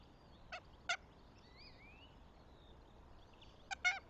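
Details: Near a goshawk nest in Tartu, Estonia, April 2025, two short, grating notes sound, then a long silence with faint birdsong, ending in a hurried pair of harsh notes.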